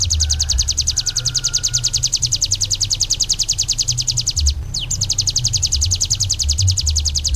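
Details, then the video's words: Ciblek gunung singing a long, rapid, buzzy trill of very high, evenly repeated notes that runs on with one brief break. A faint lower whistle sounds early on, over a steady low hum. "SUARA BURUNG CIBLEK GUNUNG"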